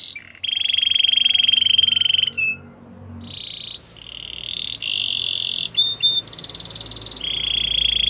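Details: Gloster canary delivering long steady rolling trills at mid-high pitch, broken into several sustained buzzing sections with brief changes in tone, over a hissy background.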